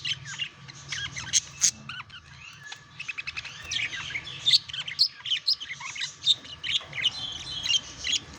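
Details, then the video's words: Budgies courting and mating: lively chatter of scratchy chirps, clicks and thin whistles, growing busier and louder halfway through, with rapid repeated squeaky notes. "Passionate Budgies: The Mesmerizing World of Budgie Mating Revealed!"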